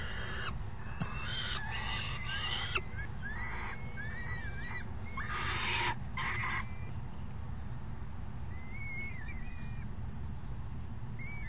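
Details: Falcon chicks at the nest on June 3, 2018, begging as a parent brings dinner and the other parent feeds them: a noisy brood giving thin harsh squealing calls, some wavering, in bursts, over a steady low rumble of wind.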